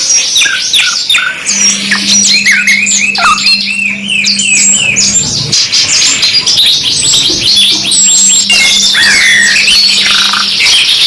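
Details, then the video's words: Canary singing in a two-in-one tutor mix: continuous high twittering and rolling trills from more than one bird, dense and overlapping, with a low steady hum in two stretches. "MASTERAN 2 IN 1 KENARI MEWAH | CANARY SINGING"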